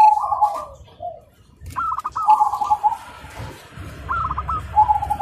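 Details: Zebra doves cooing in the morning, several birds answering one another: mellow, warbling, medium-pitched coos in short phrases with stuttering breaks, overlapping phrases from more than one dove, and some background rustling.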